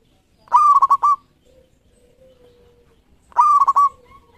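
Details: Local zebra dove song for luring: two loud, clear trilled coo phrases about three seconds apart, each a sharp rising start then a run of quick pulsed coos, with a faint low drawn note between.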